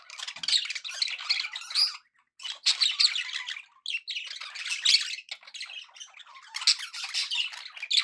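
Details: Pet budgerigars chattering happily: dense, scratchy warbling bursts packed with harsh squawky notes and quick chirps, coming in runs of one to two seconds split by brief pauses.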